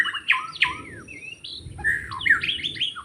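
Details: White-rumped shama in forest during bird trapping gives loud whistled notes, sweeping slurs and chattering phrases in a quick varied run.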